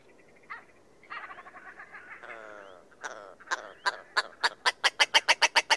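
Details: Willow ptarmigan: a few nasal, croaking notes and a short buzzy rattle, then a rhythmic series of sharp, loud, clicking notes that grows faster and stronger toward the end.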